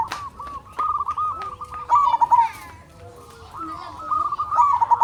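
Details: Local zebra doves sing to lure other doves into calling: rippling coo phrases repeat, with loud ones in the middle and at the end, sharp clicks near the start, and a few lower coos.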